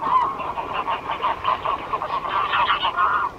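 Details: Honking of greylag geese: rapid, nasal, cackling honks in quick succession, several per second, overlapping as if from more than one bird, loud and steady throughout.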